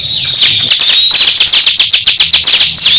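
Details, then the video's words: Crescent-chested babbler kept as a cage bird, in a fierce singing duel against another bird: dense rapid high trills repeated nearly four times a second, with thin sliding whistles running over the top. "Duel sengit cikris vs cisem saling adu gaya"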